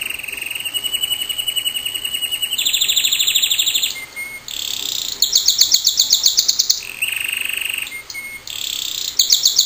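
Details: Pet canary singing: a long, loud song of varied rolling trills and sustained high, whistled tours, each held a second or two before shifting to a new pitch, with buzzy fast-repeated notes between.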